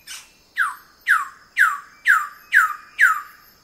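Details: Wilson's bird-of-paradise giving close-up calls: seven loud, harsh downslurred notes dropping then levelling, repeated about every half second, with a quiet background and no other clear sounds.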